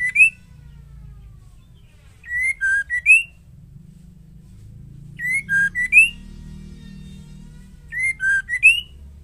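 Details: Female white-rumped shama song meant to stir males into singing; brief whistled phrases of three to four clear notes, rising and dipping, repeated four times at intervals of about three seconds, over steady low hum.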